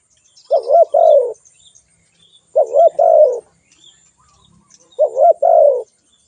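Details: Spotted dove cooing in three evenly spaced phrases, about one every two and a half seconds. A quick undulating note leads into a longer, lower falling coo each time.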